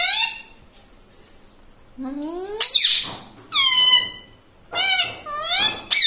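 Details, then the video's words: Pet parrot imitating human speech indoors: a short high squeak, then rising drawn-out syllables, a strained harsh note, and several shrill nasal phrases with wavering pitch. "insaan ki tarah bolta tota - talking parrot"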